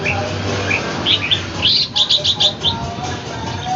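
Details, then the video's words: Red-whiskered bulbul kept at home, fighting a wild bird in Ho Chi Minh City. A few soft whistles lead into a quick run of six or seven loud, sharp, chirping notes, then fade, over a low hum. "chao mao nha giao chien voi chim ngoai hcm"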